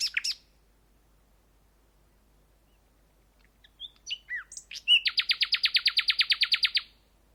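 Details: Song Thrush giving a few scattered whistled and slurred notes after a pause, then a rapid, even run of about fourteen identical sharp notes repeated over roughly two seconds, in an otherwise quiet setting.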